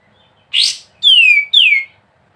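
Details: Three loud notes from a sooty-headed bulbul: one rough rising chirp, then two clear whistles that slide steeply downward.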